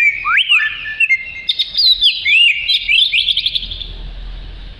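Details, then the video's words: Energetic oriental magpie-robin song meant as tutor material for other birds: varied whistles with quick upward and downward slides, dense chattering phrases in the middle, then fading away near the end. "Kicau Kacer Gacor Cocok Untuk Isian"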